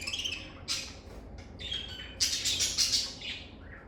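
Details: Lovebirds singing and chirping in a calm, stress-free setting: a rapid rattle of tiny notes, then scratchy chirps and a loud burst of shrill, rasping squawks.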